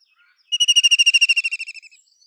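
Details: White-throated kingfisher calling with a loud, fast whinnying rattle, roughly fifteen piercing notes delivered in just over a second and tapering away slightly lower.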